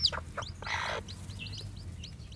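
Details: White black-tailed Japanese bantam chicks, just hatched, out walking, give high slurred peeps after a brief rushing noise and some lower notes.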